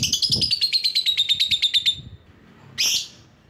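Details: Lovebird calling to challenge rivals: a rapid trill of about fifteen high, squeaky notes over two seconds, gently falling in pitch, then a single loud harsh squawk after a pause.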